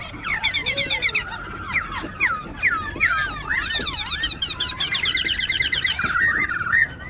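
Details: A white-cheeked laughingthrush, a wild-caught bird kept in a cage in Tân Túc, Bình Chánh, Ho Chi Minh City, sings while dancing: a rich, varied song of looping whistles, slurred phrases and rapid repeated notes, with another bird chattering behind.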